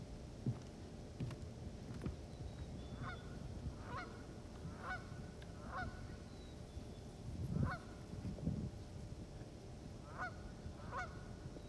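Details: Geese honking loudly on a wetland walk among ponds and marshes: about eight nasal, two-part honks at uneven intervals, a second or two apart, over a steady low rumble of wind.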